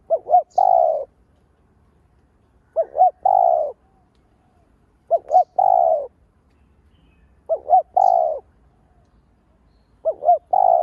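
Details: Lure spotted dove cooing steadily to provoke other doves: five phrases of two brief upswept notes and a long falling coo, repeated about every two and a half seconds, background quiet.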